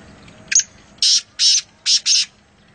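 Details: Grating call of a wild black francolin at Nawabshah: a thin introductory note, then a rhythmic run of four coarse, scratchy, high-pitched notes, the last two close together; background otherwise quiet.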